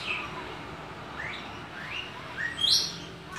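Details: Varied song of a Javan white starling held in the hand: a string of short, rising whistled slurs climbing higher in pitch, ending in a sharp, piercing upward note.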